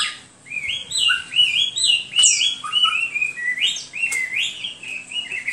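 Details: A male-type Hwamei song of clear whistled notes in a rapid rolling series, each slurring up then down, steadily repeated for several seconds.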